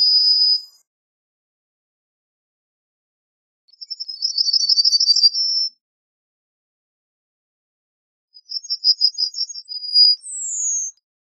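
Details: Singing Yellowhammer: a held note ends one phrase. After pauses come two more phrases of rapid, repeated high notes, each closing on a drawn-out tone. The last ends with a falling slur.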